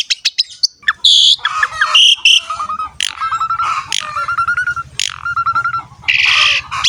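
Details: Asian pied starling in a loud, varied training song for prompting young birds to sing. Sharp chips and harsh bursts alternate with repeated clear whistled notes. A steady low hum runs beneath.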